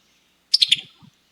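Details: Summer Tanager, a summer nesting migrant in North Carolina, giving its quick, staccato pity-tuck call: three sharp, high clicking notes in rapid succession, each a touch lower than the last.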